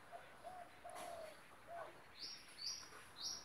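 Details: Long-tailed shrike (cendet) being tamed. A few soft, low, mellow whistled notes open the recording, followed in the second half by three short, high, thin chirps spaced about half a second apart over quiet background hiss.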